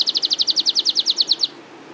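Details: A loper-type canary in its long rolling song, a fast trill of about thirteen identical high, clear notes at roughly eight per second, lasting about one and a half seconds before ending abruptly.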